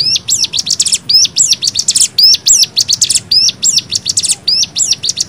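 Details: Fast cigun nembak song for bird tutoring: sharp, high notes that jump up and down in clusters, packed closely with dense hissing bursts, nearly continuous through the whole stretch.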